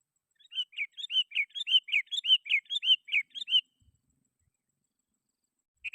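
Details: Energetic Sooty-headed bulbul song meant to call rivals and draw in wild bulbuls: around fourteen rapid, bubbly whistled notes over three seconds, then quiet before a new phrase begins.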